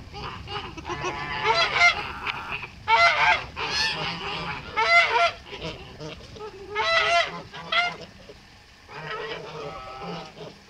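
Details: Pure white male Kholmogory goose on a farm, born 2014, recorded 7 November 2017, gives a run of brassy, rasping honks, often in doubled or tripled bursts every second or two, with short quieter gaps and faint background murmur.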